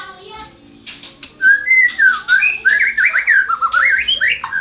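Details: Champion white-rumped shama opening quietly, then launching into a loud, continuous run of rich looping whistles rising and falling, interspersed with rapid chips and buzzy notes.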